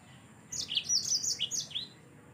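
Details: A yellow-fronted canary singing in lively form, used as tutoring audio for cage birds: one short phrase of quick, high, twittering notes that leap up and down, lasting about one and a half seconds.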